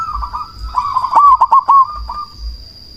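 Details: Cemani zebra dove, a loud lure bird meant to make rival doves answer and to boost breeding drive, produces a fast, slightly rolling series of hooted notes lasting under a second. Background doves keep up a steady coo.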